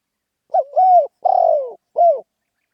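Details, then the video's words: A spotted dove's rousing khan yon coo: a brief opening note gliding into a long steady coo, then a pulsing note that drops in pitch, and one short closing coo. "เสียงนกเขาใหญ่ เสียงขันโยนเร้าๆ.."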